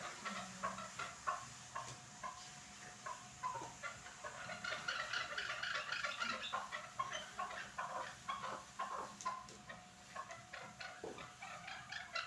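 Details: Chukar partridges at Norak, Tajikistan, calling in a long series of repeated clucking notes, about two per second, rising into a denser chorus midway, over steady background hiss.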